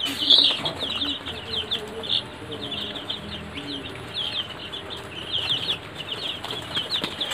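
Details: Sonali or golden chickens raised on a farm, many birds together; shrill, short peeps in quick irregular bursts, one loud piercing peep near the start, soft low clucks scattered underneath.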